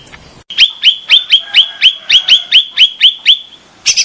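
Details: Grey-bellied bulbul (cucak ranting) lure and therapy sound: a rapid run of about a dozen identical sharp, downslurred chip notes, roughly four per second, ending in a brief burst.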